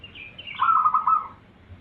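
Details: Zebra dove lure master song meant to make other zebra doves answer; a high wavering note drops into a short rolling, trilled coo phrase, then fades.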